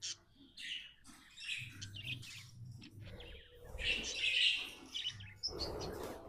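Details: Pet budgerigar described as happy, chirping in short buzzy bursts and rapid warbled notes, with uneven pauses and a faint low hum underneath.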